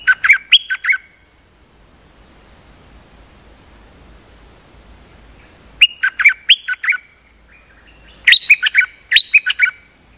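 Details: Decoy song of a Nok Dok Taeng: three bursts of rapid chirpy, slurred notes about two seconds apart, separated by long pauses of faint hiss.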